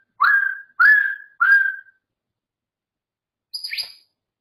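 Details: Pet grey parrot giving three quick rising whistles, each sliding up and then holding level, followed after a short silence by a single higher, harsher squawk-like note.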